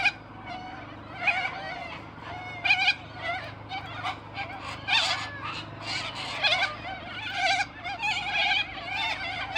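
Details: A flock of wild white cockatoos in a tree at a park on a sunny winter day, calling together: harsh, raspy squawks and screeches overlapping in bursts every second or so over constant busy chatter.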